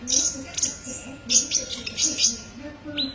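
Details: Olive-backed sunbird song recorded for masteran training: rapid high, thin chirps and twittering phrases in busy bursts, with a short pause before a final sharp note, over a faint low hum.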